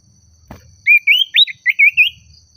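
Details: Common iora singing to challenge a rival, a varied string of six or seven clear looping whistles, some rising, some wavering, over faint low rumble and a steady high tone.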